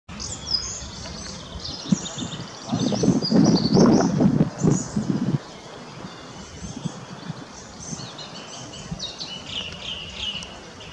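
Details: An adult Fieldfare with a young bird in a botanical garden in Munich gives thin, high chirping calls in quick, uneven runs, partly masked midway by a loud low rumble of wind or handling noise.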